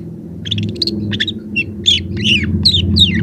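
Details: Young long-tailed shrike in full song, meant as a lure for quiet shrikes: a quick string of scratchy twitters and down-slurred whistled notes, about three per second, above a loud low droning hum.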